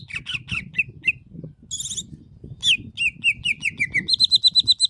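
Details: Greater green leafbird giving vigorous masteran song: fast varied phrases of chirps, a brief very high buzzy trill, then a run of descending whistled notes ending in rapid high repeated tones. Low rumbling background noise throughout.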